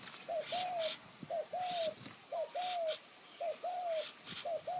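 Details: Wild-dove luring session with a decoy spotted dove, high forest, Kanchanaburi, Thailand, using khu-ang and nun-ang call phrasing. Regular paired coos, a short note then a longer drawn-out one, repeated about every second.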